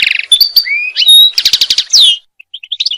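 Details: European goldfinch; song; courtship and teaching young goldfinches to sing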